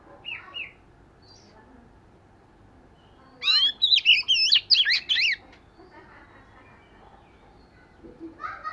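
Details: Oriental magpie-robin practising its song: a brief soft phrase, then a loud two-second burst of fast, swirling whistled notes, with a final phrase just beginning at the close.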